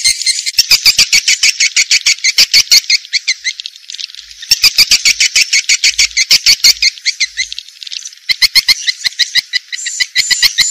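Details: Swiftlet calling sound in the Vietnamese 'janda' style: rapid trains of sharp, high clicking chirps in bursts of about three seconds separated by short pauses, with bright ringing overtones throughout.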